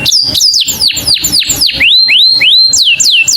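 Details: Saffron finch calling its companion: a run of loud down-slurred whistles, then upswept arching notes repeated about every half second, finishing with two more falling whistles.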